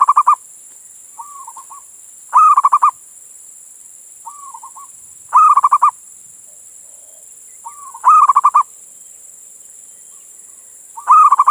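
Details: A local Indonesian male zebra dove calls for a female. Its loud rattling bursts of quick coo notes repeat every two to three seconds, each preceded by a quieter short rolling phrase, over steady background hiss.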